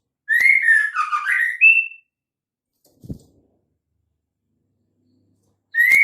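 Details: White-rumped shama female calling to entice males into song: an intricate whistled phrase of dipping and rising slurred notes ending on a high note, a quiet knock after a pause, then another phrase starting.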